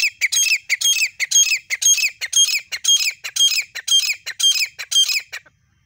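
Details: Grey francolin, gora teetar, from Pakistan: loud, harsh, squawky notes in a steady series, repeated about twice per second for five seconds, then stopping abruptly, with a quiet background.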